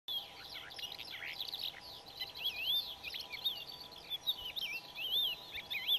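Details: A crested lark in Extremadura in May 2005 gives a steady stream of clear, high whistled notes, rising and falling in quick, overlapping phrases over faint background hiss.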